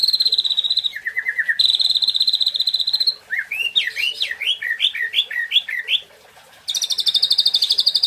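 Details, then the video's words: National champion white-rumped shama singing a loud, varied song: long steady high whistles, a short low trill, then a run of quick rising looping notes before another bright high whistled phrase. "GILAAA MATERI MURAI BATU JUARA NASIONALL"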